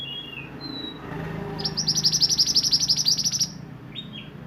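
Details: Sunbird (burung mantenan) in roll nembak song: brief whistles lead into a long, rapid, pulsing high trill of roughly eighteen notes across two seconds, ending with a short slurred note.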